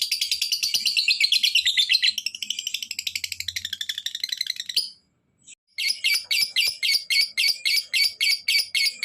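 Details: Lovebird calling to stir other lovebirds into calling, a dense buzzy trill that breaks off, then returns as slower, louder, evenly spaced harsh notes about every third of a second.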